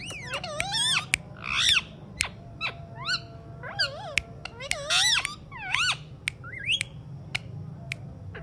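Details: Alexandrine parakeet talking: a run of harmonic squawks, sliding up-and-down whistled tones and sharp clicks in irregular bursts, with quiet hum underneath.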